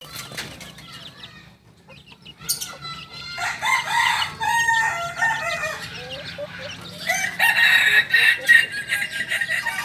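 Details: Two-month-old Kokok Balenggek chick, a singing chicken breed from Tigo Lurah, Solok, West Sumatra, crowing diligently: after a quiet start, a long series of rapid, stuttering harmonic notes builds over several seconds, loudest near the end.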